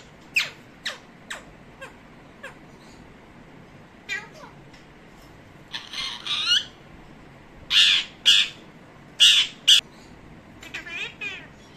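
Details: Hand-tame pet parrot talking Urdu and Arabic words; a run of short sharp clicking bursts gives way to loud, harsh, squawky voiced syllables in quick clusters, with quiet pauses between.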